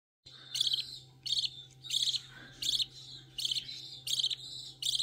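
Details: An 11-day-old budgerigar chick being hand-fed gives harsh, raspy begging chirps in quick rhythmic bursts.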